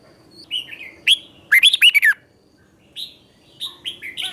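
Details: Red-whiskered bulbul master song for training birds, double-phrase style: a few slurred whistles lead into a rapid burst of rich warbled notes, followed by scattered short, rising chirps against a quiet background.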